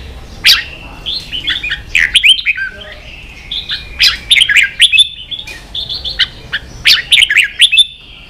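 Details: Kept red-whiskered bulbul in competitive song, repeating lively groups of sharp chirps and rich warbled notes separated by pauses of about a second.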